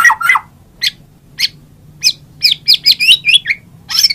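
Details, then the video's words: White-rumped shama song: varied whistled and chattering phrases, spaced at first, then tumbling quickly together, loud and clear against a quiet background. "suara MURAI BATU"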